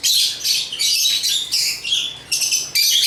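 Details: African lovebirds (Agapornis) give loud, shrill, high chirps and squeaky twitters in overlapping bursts, several per second, almost without pause.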